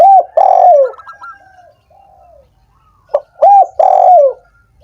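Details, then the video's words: Spotted dove coos used as a stimulant for doves slow to call: two strong phrases about three seconds apart, each ending in a drawn-out falling coo, with quiet trailing notes and soft twitters between. "suara PERANGSANG burung tekukur yang malas dan macet bunyi"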